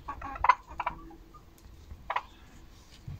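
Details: Domestic hens on 10 October 2022, a Monday with eight eggs collected, giving short throaty clucks in quick bursts, a pair of bursts early then another single one after a pause, over low background rumble.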